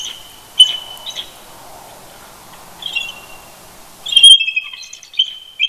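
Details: Eagle pair chortling to each other early on a November Sunday morning at Big Bear Lake, California, roosting near their nest; a few high whistled chirps, then a denser stuttering burst of calls near the end.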